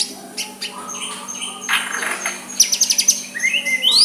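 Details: Soft white-rumped shama song used to provoke a rival to answer. After faint scratchy sounds, it gives rapid ticking note bursts and quick rising whistled sweeps.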